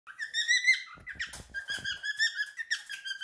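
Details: Male pet cockatiel, three years old, singing his favourite song indoors: clear whistled notes, rising and falling, repeated in a steady phrase, broken midway by a short burst of dry clicking and rustling.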